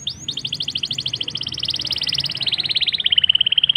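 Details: Black-throated canary lure song, rolling and chatty, to make canaries sing fast. Nearly four seconds of continuous rapid trilling, the repeated notes quickening and descending gradually before levelling off at the end.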